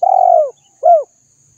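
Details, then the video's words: Spotted dove cooing, a recording meant to stir other doves into calling: a long, low, mellow coo sliding slightly downward, then after a short pause a shorter hooked coo, on a quiet background. "Tiếng chim cu gáy kích bổi"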